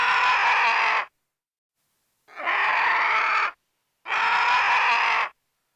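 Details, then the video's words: A vulture, a carrion-eating scavenger of the Cathartidae family, gives three harsh, breathy squawks, each lasting just over a second, with short silent pauses between them. "VULTURE VOICE"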